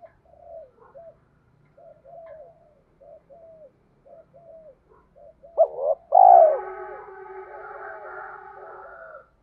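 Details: Cooing used to lure spotted dove males into singing and fighting: a run of soft short coos every half second, then a loud sharp burst and a drawn-out layered coo that fades out.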